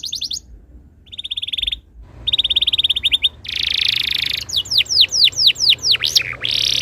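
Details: Canary tutor song to make other canaries sing: short bursts of fast trills separated by pauses, a buzzy roll, then a string of steep falling whistled notes.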